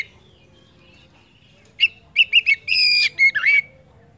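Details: Kacer, the Oriental magpie-robin, heard as a lure to make other birds sing. After near silence comes a short phrase of quick chirps and a drawn-out, harmonically rich note, ending in a falling slur.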